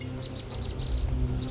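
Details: Vinous-throated parrotbill, a small but loud bird that lives in flocks, at Anshim Wetland, an urban wetland in Daegu: a quick run of thin, high chirps, several notes in little more than a second, over a steady low hum.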